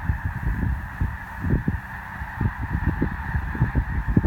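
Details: Snow goose flock stopping over in Columbus, Nebraska while migrating: steady overlapping honking fills the air as a continuous chorus, punctuated by low wind buffets.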